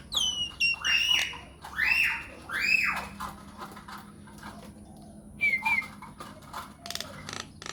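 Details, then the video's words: Myna song used as a lure to make any kind of myna answer: loud descending whistled sweeps and slurred notes in a burst, then dry clicks and a short whistled phrase after a pause. "PANCINGAN / MASTERAN SAKTI UNTUK SEMUA JENIS JALAK, JALAK APA SAJA AKAN NYAUT | MYNAH BIRD"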